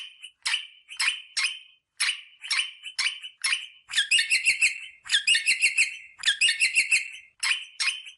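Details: Rosella parrot mating-stimulation calls: sharp, harsh single notes spaced about half a second apart, followed by repeated bursts of buzzy, rattling chatter about a second long.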